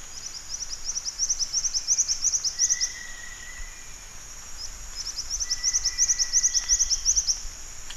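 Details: Black-winged flycatcher-shrike (jingjing batu) giving fast strings of sharp, high-pitched chirps, two runs a few seconds apart, against a constant shrill buzzing background and faint brief whistled tones.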